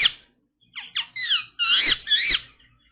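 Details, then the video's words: Pet Indian ringneck parrot indoors making a sequence of short squeaky whistled notes, some sliding upward and downward, followed by longer warbling chatter, in a quiet small room. "Indian Ringneck Parrot Making Beautiful Sounds"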